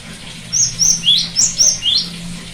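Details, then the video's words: Cinereous tit song played as therapy for a bird that has stopped singing: a lively string of about six notes, high level whistles alternating with rising slurs, over a low steady hum and hiss. "terapi gelatik batu macet bunyi"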